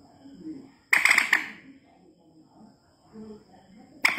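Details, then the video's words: White-breasted waterhen, used as a lure call, giving a harsh, loud burst of three or four rapid croaking notes, then a quiet pause before the next burst, over a faint background murmur. "suara pikat burung mandar batu"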